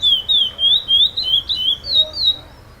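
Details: Competition curió (chestnut-bellied seed finch), first-place winner at the 5th FEBRAPS stage, repetition-style song: about eight pure whistled notes in quick succession, each a gently wavering slur, the phrase fading at the close.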